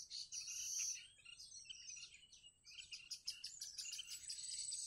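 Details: Bittern nestlings, newly hatched and waiting to be fed at a wild nest, produce high, scratchy, rapid chittering in loud bursts, dipping quieter midway before a sustained insistent buzzy stretch.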